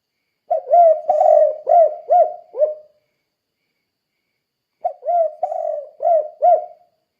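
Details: Spotted dove, tekukur, calling in the "kuk 2" style used to train other doves to sing: two phrases of five low hooting coos, the second one long and rolling, the last one clipped short, with a pause of nearly two seconds between.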